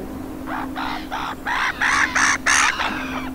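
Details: Water rail in the marshes of Suscinio Castle, Gulf of Morbihan, France, on 2 November 2021 in autumn, giving about seven harsh, pig-like squeals, roughly three per second and growing louder, over a low steady hum.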